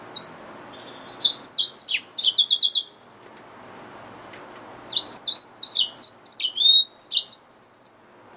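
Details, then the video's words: Yellow-fronted canary mule, a hybrid finch, singing two bursts of high, fast twittering song with buzzy trills and rapid repeated notes, separated by a short pause. The background is quiet. "Yellowfronted canary mule | Hybrid Finch | Nature Bird sounds"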